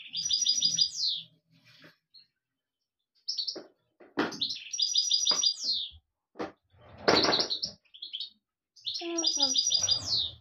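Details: European goldfinch singing: bursts of bright, tinkling twittered phrases high in pitch, each ending in a quick descending slur, separated by short pauses and scattered clicks and knocks.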